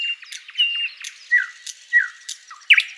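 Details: Thrush nightingale (Luscinia luscinia) singing in a spring forest at sunrise: a varied run of sharp clicks, short level whistles and falling slurred notes, delivered in quick bursts about every half second.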